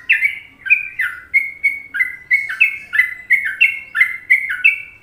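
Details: Sooty-headed bulbul from Indonesia singing a popular Trucukan masteran: bright, chattering, flute-like notes that step between higher and lower pitches in rapid succession, forming a continuous lively babble.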